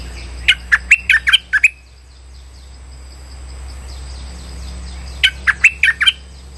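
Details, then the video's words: Lure call of a streak-eared bulbul, played for bird trapping. About seven clipped, bright chirps run together, then several seconds of quiet hum, then a second similar burst of quick notes. "Suara pikat merbah lekir"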